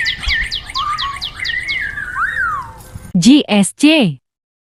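A Chinese hwamei gives quick, high, downslurred notes over a sliding whistled line for about three seconds, then three loud, harsh voice-like sounds follow.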